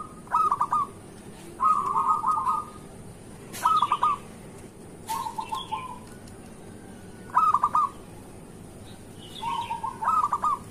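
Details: Morning zebra dove song, played to coax other zebra doves into song: short hooked notes alternate with brief rolling trills in well-spaced bursts, with faint higher chirps in between.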